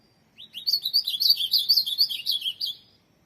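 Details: Competition-kept ultramarine grosbeak delivering one fast, rich phrase: upswept opening notes followed by a steady run of about a dozen chirpy, slurred whistles over roughly two and a half seconds, quiet background.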